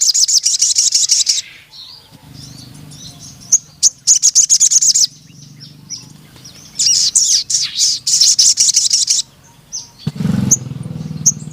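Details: Crimson sunbird in lively song: repeated bursts of rapid, very high metallic trills and chatter, with brief pauses, thin chips, and a low hum beneath.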